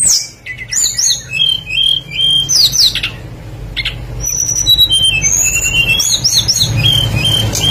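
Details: A blue flycatcher (tledekan) in full lure song, meant to prompt other birds to sing: rapid high whistled notes and short slurred phrases tumbling together, with a constant low hum underneath.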